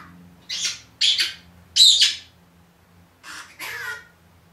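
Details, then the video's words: A one-year-old talking pet Senegal parrot, said to say good morning, utters a loud string of five harsh, gravelly syllables in two groups: three quick ones, then two after a short pause. "Talking Parrot"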